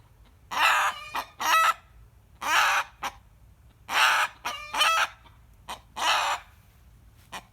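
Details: Rooster screaming, his usual behaviour on hearing a hen cackle: loud, rasping cries of about half a second in irregular series, with short staccato notes in between.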